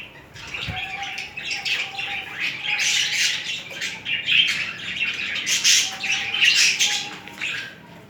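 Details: Two budgerigars during mating and courtship keep up a steady, raspy, high chatter of squeaks and scratchy notes, with a soft thin whistle drifting in underneath.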